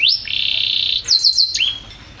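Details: A champion canary's song: a rising whistle, then a long fluttering buzzy roll, three quick descending chirps, and a final slurred whistle fading out.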